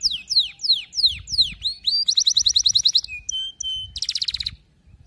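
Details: Canary singing as training for young canaries: a string of loud downward-swept whistles, then a rapid buzzy trill, two short steady whistled tones, and a closing harsh rattle.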